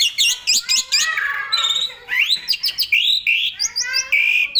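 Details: Asian pied starling in energetic full-repertoire song for tutoring other songbirds: harsh chattering notes give way to rising whistles, a brief pause, then loud upslurred and level whistled phrases.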